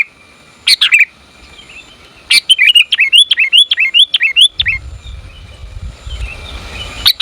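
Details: Sooty-headed bulbul hen calling a male, lure recording: one harsh chirp, then a quick string of about eight bouncing, slurred notes, followed by a low rumbling background and a final chirp.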